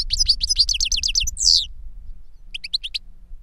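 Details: Caged goldfinches, an experienced singer and a young bird trained on his recorded song, giving a fast string of repeated ringing chirps ending in a buzz, a pause, then a short chirped phrase.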